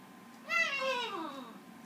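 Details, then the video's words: Green-winged macaw kept as a pet, duetting with a Goffin cockatoo: a single nasal, harmonic note that starts high and slides steadily downward for about a second in a quiet indoor room. "Macaw sings a duet with a bratty cockatoo"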